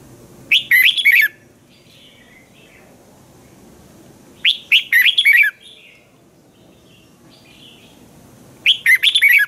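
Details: Thai Red-whiskered bulbul in lively, sharp-toned training song, delivering three bubbly, chattering phrases spaced roughly four seconds apart, with quiet pauses between them.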